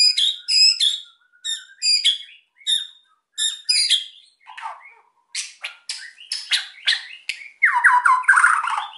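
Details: White-rumped shama in full song, used to stir silent birds into singing: crisp repeated clusters of high bright notes, then a run of varied chirps ending in a loud dense harsh chatter.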